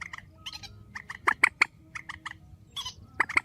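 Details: Grey-headed swamphen calling strongly in a night bird recording: dense, harsh, cackling notes in rapid pairs and short series, a brief buzzy burst midway, loud and continuous throughout.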